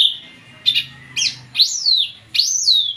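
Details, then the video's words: Drongo in full song: loud clear whistled notes that sweep up then slide down, with short chirps between, given in three phrases over a few seconds. "burung srigunting gacor full"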